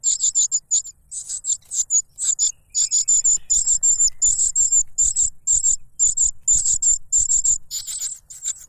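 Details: Cuckoo chick clamouring for food from its foster father, who plugs its mouth with a butterfly; very high, thin hissing squeaks in quick clusters of two to four, repeated almost without pause, with faint low rumble beneath.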